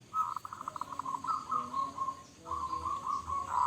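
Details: Local zebra dove, a loud, frequently singing bird with a big voice, giving a quick run of staccato notes that rolls into a longer purring coo, then a second rolling phrase, all soft against a faint background hiss.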